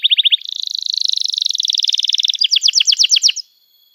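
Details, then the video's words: Lively canary singing meant to train young birds: a quick opening trill, then a dense buzzy rattle held for two seconds, closing with loud, spaced, sharply slurred notes before silence. "Kenari Gacor Panjang Cuit Cuit Emosi, Pancingan Kenari Paud Belajar Bunyi"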